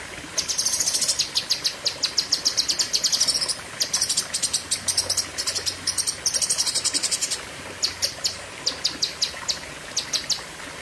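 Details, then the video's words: Fierce long 'pedes panjang' bursts from a cucak kinoi. Fast strings of shrill, clipped notes rattle on almost without pause, broken by short gaps, over a faint low hum. "Tembakan Ngeri Cucak Kinoi (Pedes Panjang)"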